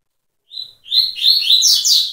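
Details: Double-collared seedeater in tui-tui song: a short whistled note, a brief pause, then a loud cascade of quick, rising and falling high chirps.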